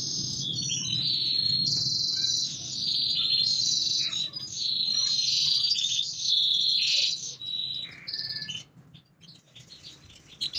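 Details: A Yorkshire canary singing powerfully without pause: a dense, continuous high-pitched warbling with rapid buzzy trills that fades near the end, over a low steady hum.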